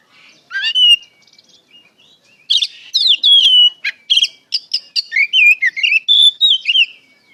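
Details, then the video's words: White-rumped shama singing as a lure meant to draw replies from other shamas: loud varied whistles, sharp clicks and warbled rising and falling phrases delivered in quick bursts, with a brief pause before a dense run. "PANCINGAN SUARA KACER NGEPLONG GACOR DIJAMIN NYAUT KACER BAHAN"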